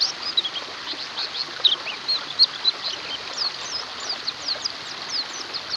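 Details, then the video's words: Many white-eyes chattering together, used as therapy for birds that have gone quiet: high, rapid twittering notes and quick slurred chips crowd over each other without pause, a few brighter whistles standing out. "TERAPI PLECI MACET BUNYI"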